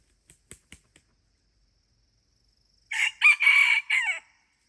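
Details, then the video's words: Red junglefowl crowing in the morning while being lured with a decoy bird: a few sharp clicks, a pause, then one loud, harsh, broken crow of several rapid harmonic bursts lasting about one and a half seconds, ending abruptly. "ต่อไก่ยามเช้า ຕໍ່ໄກ່ປ່າຍາມເຊົ້າ"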